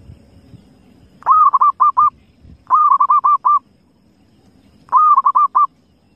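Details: Wild zebra dove giving three cooing phrases, each a longer opening coo followed by several quick, clipped coos, with pauses of a second or more between phrases over faint low background rumble.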